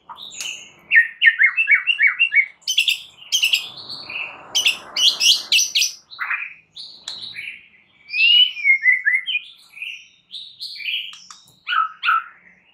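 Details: Champion white-rumped shama song meant to provoke other shamas into singing: quick chattering notes open, then sharp clicks over a soft rustle, followed by varied whistled phrases, fluting slides and short trills with brief pauses between.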